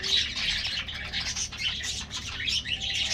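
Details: Colorful budgies in an aviary colony during a morning treat, a dense continuous warble of many overlapping chirps and squeaky twitters from the flock.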